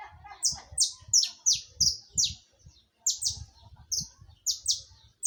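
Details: Steady saffron finch song of high, sharply falling notes, roughly three per second, with a brief pause midway and faint low thumps.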